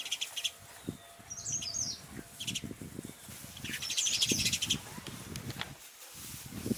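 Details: House sparrow chirping outdoors: short bright bursts of chirps come in clusters, with a scratchy run near the start and a louder busy spell around the middle, over a background of low rumbling noise.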